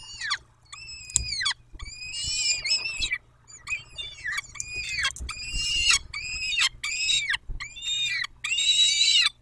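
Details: Peregrine falcons calling at their nest in Dobra, 14:18, in May: a long run of loud, grating, wailing screams, some drawn out over a second and dropping in pitch at the end, others short, with brief pauses between them.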